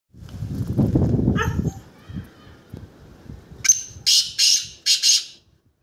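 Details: Black francolin calling in front of a Siberian husky dog: a loud, harsh, grating call in a quick series of rasping bursts.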